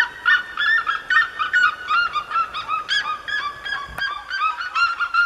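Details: Red-legged seriemas calling in the Serra da Mantiqueira, Brazil: loud, harsh, dog-like yelps, two or three each second in an overlapping run, with one sharp click partway through.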